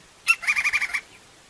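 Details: A crimson-crested woodpecker in the wild utters a loud first note, then a fast run of about six harsh, buzzy notes lasting under a second; background otherwise quiet.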